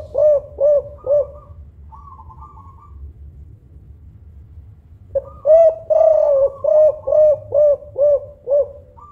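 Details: Loud-voiced Songgo Ratu Kuk 5 spotted dove, a local bird used to lure other doves, cooing in a short run of deep rounded notes, pausing several seconds with faint murmurs, then resuming with a longer rhythmic string of hollow coos.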